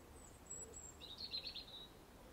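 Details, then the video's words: Robin in an English nature garden singing aggressively: one short, high, thin warbling phrase with a faint high whistle before it, against soft background noise. "Aggressive Robin Song"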